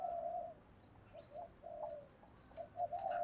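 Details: Spotted dove coo in the deep thổ style used as a lure, faint and distant: a drawn-out coo followed by a string of short, soft notes, with hiss and faint high chirps from other birds.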